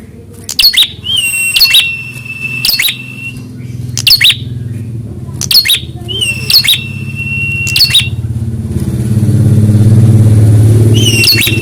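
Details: Prinia checked for fighter response to a rival: a long run of sharp, raspy notes at about one per second, some linked by flat high whistles, while a low rumble swells toward the end.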